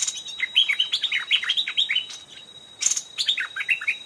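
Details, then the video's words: A wild old Stripe-throated Bulbul sings aggressively toward a caged decoy, coming up to the trap twice. Rapid bubbly warbled phrases sweep up and down, then a short buzzy burst and more chattering notes. A thin steady high tone runs beneath. "เสียงนกต่อดอกแตงEp.90 นกแก่ป่าอย่างดุ ขึ้นเพนียด2รอบ(Stripe-throated Bulbul)"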